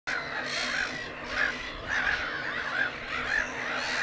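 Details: Black-headed gulls at a breeding colony at Lake Hornborga: a dense chorus of harsh, overlapping calls, with short clear notes recurring about every half second above the din.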